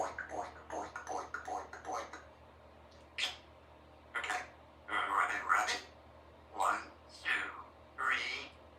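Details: Three-year-old female Congo African grey parrot at home practising words and sounds, producing a run of quick speech-like syllables, then several separate louder rising phrases with pauses between, indoors with little background noise.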